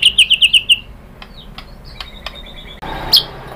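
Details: White-rumped shama song meant to provoke other birds into answering: five quick bright whistled notes in a fast series, then faint scattered clicks and a single sharp high note.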